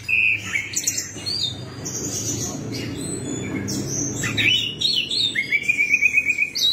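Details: Orange-headed thrush song used as a lure to get silent birds singing again: clear, varied whistled phrases ending in rapid high trills, over a faint low hum.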